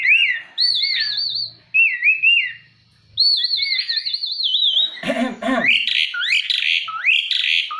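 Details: Jalak uret (starling) in full song: loud wavering whistles trilled rapidly up and down, a pause, then a harsh burst of noisy notes followed by varied chirpy whistles.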